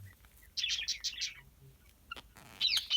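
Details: Male and female peach-faced (rosy-faced) lovebirds chirping in a breeding colony with a new chick: a fast run of five shrill, high chirps, then a sharp squeak and harsh, screechy chatter.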